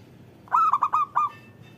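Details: Local zebra dove cooing, played to make other doves sing: a tight string of five hollow notes, the last one set off by a brief pause, clear against a quiet background.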